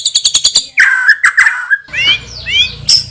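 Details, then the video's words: Champion white-rumped shama, loud and strong-voiced, gives a rapid series of clipped high notes, then lower burry phrases, then several bright upward-sweeping whistles over faint low background rumble. "MURAI BATU juara isian super PEDAS_suara lantang dan keras"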